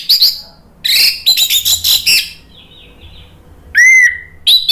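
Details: Orange-headed thrush kept to stir other birds into singing: rapid high chattering bursts, then a soft thin whistle, a pause, and a strong clear whistled note that slides down before another brief burst.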